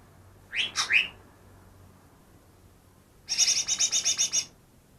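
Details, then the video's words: Greater green leafbird trapped two days before, reportedly imitating ten bird species: three quick piercing downslurred notes, then after a gap a bright rattling series of rapid high chips. "burung cucak ijo yang bisa meniru 10 suara burung lain"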